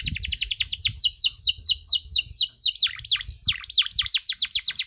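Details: Canary singing its extended cengkok song to stir up other canaries: continuous fast trills of bright, high down-slurred notes, changing speed partway through into deeper, swooping strokes, without a break.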